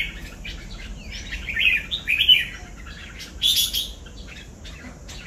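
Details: Kept red-whiskered bulbul of the tiger type sings lively phrases of bright, warbled whistles, with rising and falling slurred notes and a louder burst in the middle, over a quiet background.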